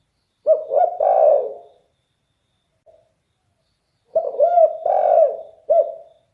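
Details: Spotted dove with a bass voice: a loud group of rolling coos, silence, then a second identical group of three or four deep, bending notes, clean and close.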